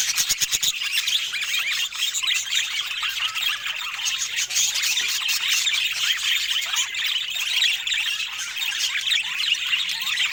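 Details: Budgerigars in Scandinavian natural light; a few sharp clicks open, then a steady wall of overlapping high warbles, chirps and squeaks from many birds throughout.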